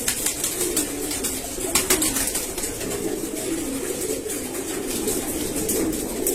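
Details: Low, rolling coos from domestic pigeons kept in a rooftop pigeon house, repeated throughout amid a hum of indoor noise, with sharp clicks and rustling from the birds.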